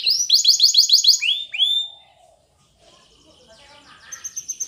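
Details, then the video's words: Spanish Timbrado canary singing a training song: rapid rolls of descending metallic notes, then drawn-out slurred whistles, a near-silent pause, and faint trills returning at the end. "Timbrado Canary's Most Powerful Singing For Training"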